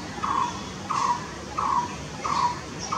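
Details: Blue-throated barbet repeating a short, burry, rolling note five times, evenly spaced about 0.65 seconds apart, over quiet background noise.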